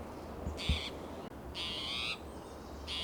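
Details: Agitated spotted towhee hopping between coast live oak and Monterey pine in Del Monte Forest, California, on a June morning, territorial; three harsh, buzzy, catlike alarm notes, unevenly spaced, over low rumble; another towhee answers more softly.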